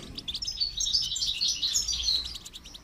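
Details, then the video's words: Goldfinch song used in song training: an unbroken, lively high twitter of quick liquid notes and short trills, fairly even in loudness throughout. "Motivational rewards for training goldfinch to song"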